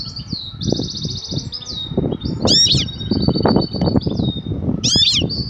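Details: Female European goldfinch, aroused and calling the male to mate, known locally as batbata: a fast buzzy trill early on, then sharp high chirps and thin drawn notes over continuous low thumping noise.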